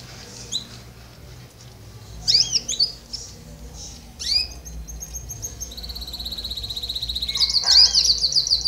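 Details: Canary singing: scattered high chirps and twittering trills, building into a long sustained high rolling trill near the end, with faint background noise.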